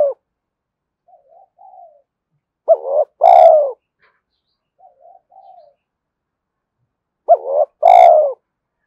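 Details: Spotted dove song meant to excite and train decoy birds. Soft, wavering low coos give way to two strong phrases, each a brief upswept note and then a full, falling coo, with a click at the loud note's start.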